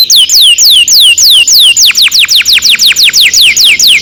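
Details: Lure song of a canary for training young birds, a long roll: evenly spaced falling whistles, about three per second, then a faster, sharper run of similar downward notes.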